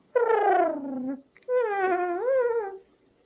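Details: Barred owl mating call, made to get a mate interested, played from a recording: two loud, drawn-out, wailing notes. The first slides downward. The second wavers and bends up before falling.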